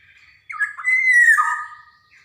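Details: A lively Javan black-naped oriole, recorded as training sound to prompt young orioles to sing, utters a long, hoarse, nasal mewing note that holds level and then falls, preceded and followed by faint softer notes.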